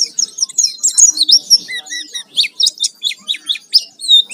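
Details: Oriental white-eye giving gacor lure song meant to set others singing: crisp high chirps and short downslurs, a couple of lower whistled notes, then evenly spaced sharp chirps.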